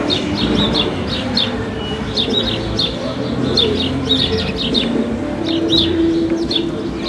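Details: House sparrows in the city at Paramirim, living among streets and squares. Sharp, high chirps repeat in quick irregular bursts over a steady low hum of urban noise.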